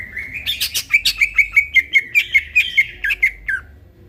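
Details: At midnight, a greater green leafbird sings vigorously in a training recording. A rapid, even run of about fifteen bright, clipped notes, like a fast trill, follows a short warbled lead-in.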